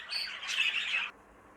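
Budgerigars chattering in a brief burst of high, scratchy squawks and twitters lasting about a second, then fading to quiet room hum.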